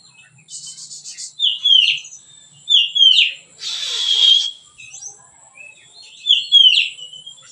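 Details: White-rumped shama in relaxed song, used to tutor other birds: short rising-and-falling whistled phrases spaced about a second apart, broken by a hissing, buzzy burst in the middle.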